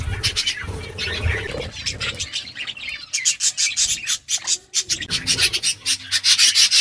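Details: Birds eating food, with rough rasping and scraping from feeding at first, then a rapid stream of sharp, high chirps and ticks crowding the second half.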